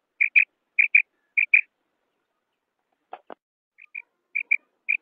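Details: Female common quail call, used for morning and night hunting: short clipped notes paired in quick doublets, repeated about every half second, with a brief pause and two lower clicks midway.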